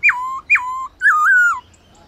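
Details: Black-throated laughingthrush (Garrulax chinensis) singing at midday for training: two quick downward-swooping whistles followed by a longer rippling whistle that wavers and drops away.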